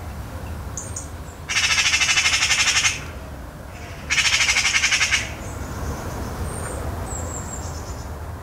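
A Eurasian Magpie gives two harsh, rapid rattling chatters, each over a second long. Faint thin whistles from other birds sound in the background.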